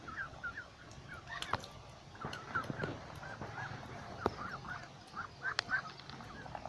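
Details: Ducks gathered in a flock by a lake give scattered short nasal calls that overlap and come in loose bursts, broken by several sharp knocking clicks and a constant low murmur of background noise.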